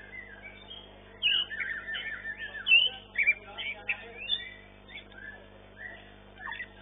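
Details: White-rumped shama, long-tailed class winner at a bird singing competition arena, singing varied whistled phrases and quick slurred notes in bursts, with several birds audible in the background.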